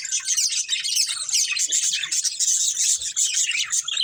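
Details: Budgerigar breeding pair chirping: continuous dense, high twittering warble with rapid overlapping chirps and squeaks, steady and unbroken for the whole stretch.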